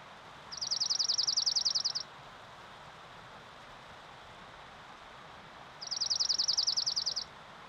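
A Dark-eyed Junco gives two dry, even trills of rapid, identical high notes, each about a second and a half long and about four seconds apart, over faint background hiss.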